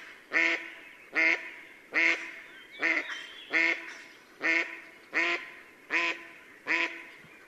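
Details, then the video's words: Female mallard calling at sunset near the village of Yelno, Novgorod oblast, Russia, on 8 April 2015; nine loud, harsh, nasal quacks repeated steadily about every 0.8 seconds over a quiet background. "Свадьбы (голоса) крякв Anas platyrhynchos на закате"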